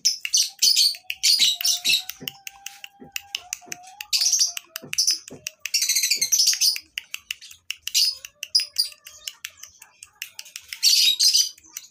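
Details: Crowded lovebird breeding farm, sound offered for tutoring other birds: intermittent bursts of shrill twittering and sharp clicking chirps from many birds, separated by brief lulls, with a faint background whine.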